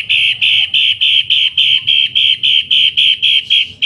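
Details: Pet Long-tailed shrike used as a tutor bird, known for a harsh voice loud as a mosque loudspeaker. Steady string of buzzy, rasping notes, around three and a half per second, each strong and evenly timed.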